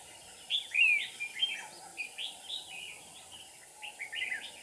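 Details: Red-whiskered bulbul used as a decoy bird for trapping, recorded 7 April 2019; short warbled phrases of slurred, rising and falling notes, spaced irregularly over a steady background hiss.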